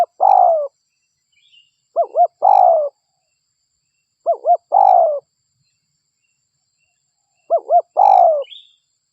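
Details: Spotted dove (local derkuku) cooing in a lure recording. Four phrases, each roughly two seconds apart, pair two quick rounded notes with a longer hoarse falling coo, separated by clear silences.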